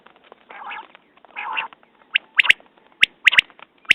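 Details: Common quail (Coturnix coturnix), call.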